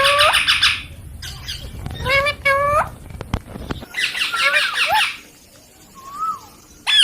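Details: Baby pet rose-ringed (ringneck) parakeet gives harsh, nasal squawks and speech-like babbling in short bursts, then a single rising-and-falling whistle, over faint low background rumble.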